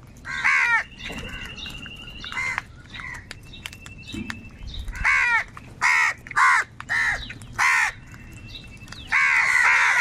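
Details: Crows calling while fighting over food. Loud, harsh, nasal caws come singly and in pairs, several birds overlapping, with a faint steady whine in the background.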